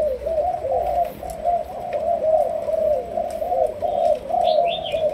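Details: Spotted dove, a young Malaysian decoy bird in training, coos in a steady rolling series of low notes; near the end a small bird adds a couple of high chirps.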